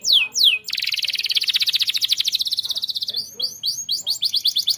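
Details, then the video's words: Canary in full song for training other birds: two descending slurs open into a long, fast buzzy roll, followed by quick arched chirps repeated several times a second. "KENARI GACOR"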